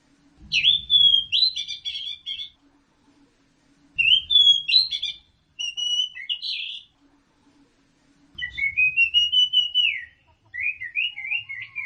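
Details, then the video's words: Orange-headed thrush song: varied whistled phrases with quick warbling notes, coming in bursts separated by pauses, with low rumbling under each phrase. "Kicau Anis Merah Teler"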